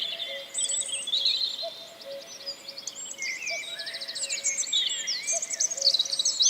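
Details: Common Cuckoo singing in Wales, April 2004. Quiet low falling double notes recur every couple of seconds, half buried under a busy dawn-style chorus of trilling, rattling and whistled songs from many small birds.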